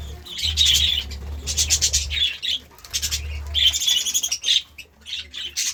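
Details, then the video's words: Budgerigar chirping in the morning: bursts of bright, high chattering chirps come in clusters about a second long, separated by short pauses, over a steady low hum. "Budgie Sounds part 33 | A beautiful chirping sound in the morning"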